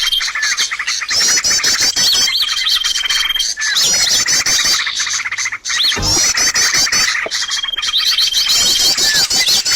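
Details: Bird sounds played as a lure for trapping birds: loud, fast repeated chirps and whistled notes, trills and rising-falling phrases, busy and continuous with a brief dip near six seconds.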